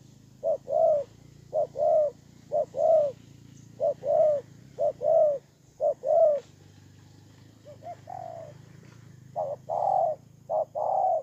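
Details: Spotted dove used as a ground decoy in Kon Tum, Vietnam, 23 September 2018, cooing in repeated groups of short and longer soft notes, evenly spaced, against a faint low hum.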